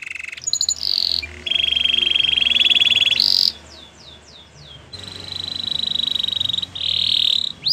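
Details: Spanish Timbrado canary singing in long, steady, water-like rolls broken by short gaps, a few falling whistles in between, and a noticeable low hum and hiss behind the bird.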